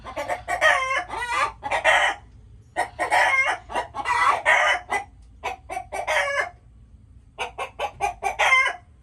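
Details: Chickens producing repeated bursts of quick clucks that swell into harsh, drawn-out squawks, separated by short silences, with a steady low hum behind.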